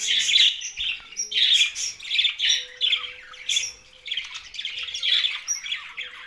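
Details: Budgerigars kept together, chattering in bursts of scratchy high chirps and warbles, several birds overlapping with short gaps between phrases.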